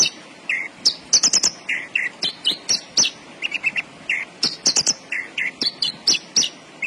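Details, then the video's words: Javan bush lark (branjangan) singing energetically: rapid alternation of high piercing chirps and lower buzzy slurs, dense phrases running almost without pause, soft hum behind. "BURUNG BRANJANGAN GACOR"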